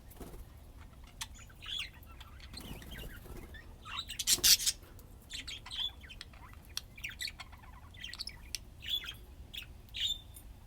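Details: Budgerigars playing, chattering in short high chirps and clicks with one loud scratchy burst early on, then a steady run of small twittering notes.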